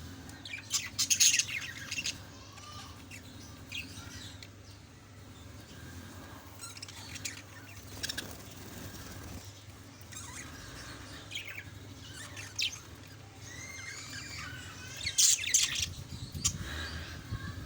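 Budgerigars chatter as a flock, with bright chirps and scratchy warbles overlapping in a busy stream.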